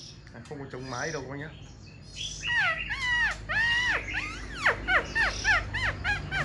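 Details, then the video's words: ['A caged Black-throated laughingthrush, tail spread and wings dancing, opens with a soft jumbled chatter, then delivers loud bold arched whistles followed by quick downward-sweeping notes, with faint background murmur.'] "Khướu bạc má VIP đuôi xòe, múa cánh giọng cực hay"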